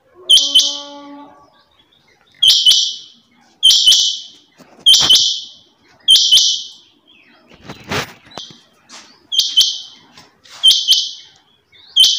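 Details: Calls of a female rain quail: crisp doubled notes that are high and harsh, given in a steady series about every 1.2 seconds. A brief rushing noise breaks in midway, and light clicks come with each call.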